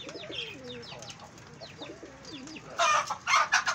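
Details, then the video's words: Fancy domestic pigeons give low, wavering gurgled coos roughly twice a second, ending in loud, broad bursts of scuffling and wing-flapping as they fight. "PIGEON SOUNDS || FANCY PIGEON FIGHT"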